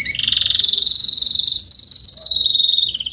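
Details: An adult male Spanish Timbrado canary, salsa coloured, returning from moult, sings a long, fast metallic roll, a steady trill that rises slightly and holds high for about three seconds.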